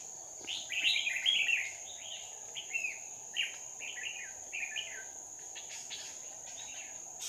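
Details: Red-whiskered bulbul recorded during trapping on 2 May 2019, a decoy calling in wild birds: bright warbled phrases, loudest early, then shorter chirpy bursts roughly every half second, over a steady high insect whine.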